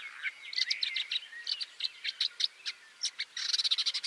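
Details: Shrike out hunting, a bird that impales its prey on barbed wire or thorny twigs before eating it slowly: dense scratchy chattering with sharp clicks and short whistled slurs, ending in a fast rattling burst.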